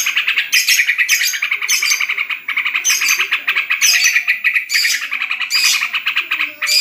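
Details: Caged trucukan, the yellow-vented bulbul, performing at home while contests are cancelled for corona: loud, busy chattering song with rhythmic clicking bursts roughly every second and a steady buzzy trill beneath.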